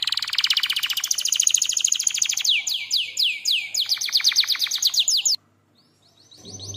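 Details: Canary master-training song: a fast buzzy trill gives way to repeated downward-swept chirps, which stop abruptly. A few faint notes follow after a short silence.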